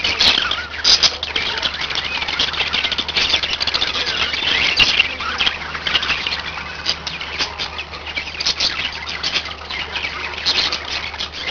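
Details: Pet budgerigars, several birds kept together, warbling and chirping without pause: a dense stream of high buzzy, scratchy notes with occasional sharper squeaks, over a faint low hum.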